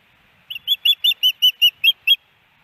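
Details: May 18, 2019, Hellgate Canyon, Missoula, Montana: a female osprey on the nest calls for her mate, recorded by a nest cam. Nine high, slightly rough whistled chirps follow in a brisk, even series.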